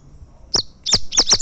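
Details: Double-collared seedeater, a champion tournament singer from a fibra contest, giving one sharp high note, then a pause, then four rapid loud clipped high notes close together, with a faint low hum beneath.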